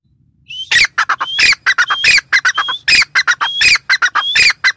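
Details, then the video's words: Grey francolin, locally called teetar, calling loudly: a thin rising whistled note followed by a rapid series of harsh, ringing, squawky notes, the phrase repeated about four times without pause; a faint low hum sits underneath. "Teetar sound | Teetar ki awaz | gray francolin teetar sound"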